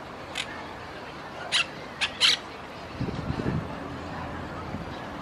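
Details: Monk parakeet in Palermo Park, Buenos Aires, Argentina, on 4 February 2018; a few sharp, harsh squawks close together, then a low, soft murmur over quiet background hiss.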